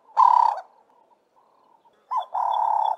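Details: A Ring-necked dove (Cape turtle dove, Streptopelia capicola) gives low, hoarse cooing notes, one drawn-out phrase, a pause, then a short note and another sustained coo; one of its landing, regular "work harder", or shorter call variants.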